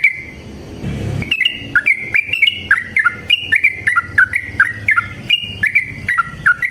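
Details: Fighting song of a yellow-vented bulbul, long and rapid, played to prompt other bulbuls to sing; after a brief noisy thump, a steady stream of liquid, bouncing two-tone notes rattles on without a break.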